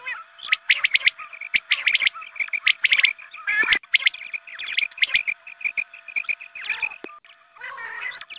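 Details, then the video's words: Quail lure call for hunting, played at the time of the dawn call to prayer: fast bursts of bright chirps from several birds, about one burst per second, with a crackling noise burst near the middle and a background hum. "Batair mast awaz#Azaan ke waqt ke awaz#batair shekar#batair sound"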